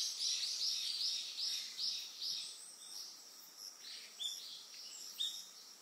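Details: Eastern yellow wagtail recorded on Amami Oshima, Japan, giving a burst of quick, high, thin chirps at the start that fades into sparse single notes, with constant shrill insect buzzing behind.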